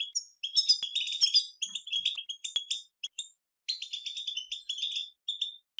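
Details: European goldfinches in nature singing a group batbata chatter, meant to wake a silent goldfinch's song: fast, high, scratchy twitters and trills, a lull around three seconds, then renewed bursts of chattering.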